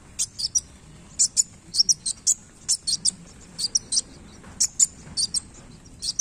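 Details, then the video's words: A sunbird known locally as kolibri wulung, in full voice while moving its tail, gives very high, thin chips singly and in quick pairs and triplets, spaced irregularly through the recording against a quiet background. "KOLIBRI WULUNG GACOR Main Ekor"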